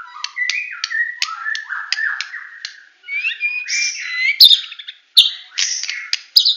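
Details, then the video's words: White-rumped shama from Medan in full 'tembakan' song: quick sequence of short whistled chips and slurred notes, then harsher buzzy phrases and sharp high notes with brief silences. "Murai Batu Medan Full Tembakan"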